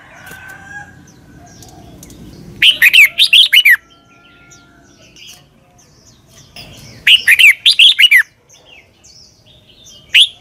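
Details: Red-whiskered bulbul from Thailand singing a clear 'double' (เบิ้ล) southern-style phrase, played for young birds to copy: two bursts of rapid, loud whistled notes rising and falling, with faint chirps from other birds between.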